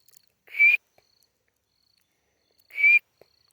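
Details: Grey francolin (Ortygornis pondicerianus), a white-coloured bird, gives two loud, harsh, high-pitched notes about two seconds apart, with near silence between them.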